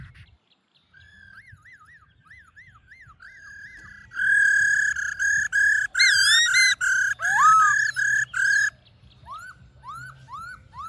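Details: Black-throated laughingthrush's wild "forest voice" song, played to stir captive laughingthrushes into singing: wavering whistled notes lead into a burst of loud, rich, rapidly repeated phrases, then a few rising slurred whistles, a full, ringing song.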